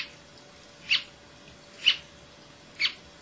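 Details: A single Brasilia tapaculo sings at Serra da Canastra, Minas Gerais, Brazil, recorded 28 June 2004: three sharp, clipped notes spaced about one second apart over a quiet background.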